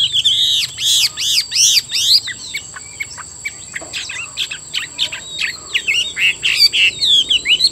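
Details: Singing Chinese hwamei from Vietnam, a stocky bird with cockroach-coloured wings and tail, opens with a burst of repeated high ringing notes, follows with scattered short chips and a click, then returns to bright looping whistles over a constant electronic tone.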